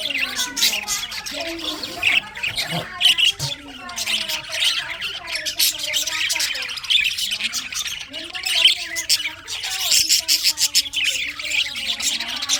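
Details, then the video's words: Long stretch of budgie flock chatter in a winter session: relentless high chirps and harsh squawks, over lower wavering, voice-like tones that come and go. "winter session Budgies parrot chirping sounds"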